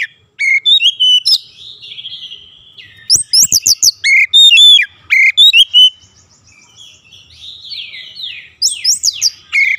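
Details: Oriental magpie-robin (kacer) during daily song training for a long roll: rapid strings of sharp, varied whistled notes in bursts, some high sweeping, with brief softer passages between loud runs.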